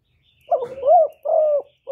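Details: Spotted dove kept as a decoy, calling non-stop to lure other doves, recorded with no background noise. Rolling coos with a short lead note, a rising and falling middle note and a longer level note, then a new phrase starting.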